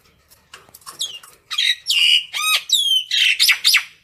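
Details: Common myna calling its flock with a rapid jumble of harsh squawks, nasal whistles and chattering notes, growing louder and denser toward the end.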